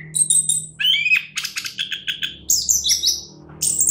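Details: Orange-headed thrush, a champion songbird, singing a fast jumble of high chirps, buzzy trills and sharp whistled phrases that jump between pitches, with short gaps between bursts.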